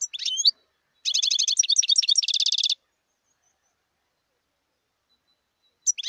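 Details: Song of a wild European goldfinch. A short twitter is followed by a long run of rapid, tinkling chirps that speeds into a dense buzzy trill, then three seconds of silence before the next phrase begins.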